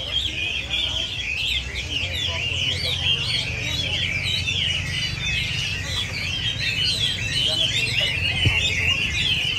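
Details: Several Chinese hwameis singing together: a dense, continuous tangle of rich, varied whistled phrases, rising and falling and overlapping without pause, with a steady low hum underneath.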